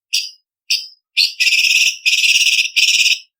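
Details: Blue-winged leafbird (cucak cungkok) master song for training contest birds, sharp 'tembakan' style: three short high whistled notes spaced half a second apart, then three long rapid trilled bursts of shrill piercing notes, no other sounds.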